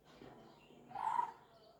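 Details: Lineated barbet (Psilopogon lineatus), call.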